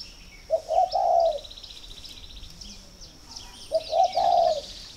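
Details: Two mellow cooing phrases from a captive spotted dove in Ba Vì, Hanoi, Vietnam, a call shown as a sign the bird is ready to be paired; short lead-in notes, then a longer rolling coo, with chirping birds behind.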